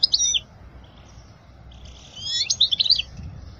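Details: Goldfinch song for teaching young birds, quieter and more scattered: a brief twitter, a near-silent pause, then a soft, sweeping jumble of chirps and thin whistles.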